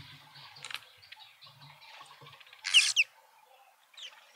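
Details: Speckled mousebirds feeding at a feeder in a suburban garden in Pretoria, South Africa; after a quiet stretch comes a sudden burst of short, sharp whistled notes, then a fainter note, over a low background hum.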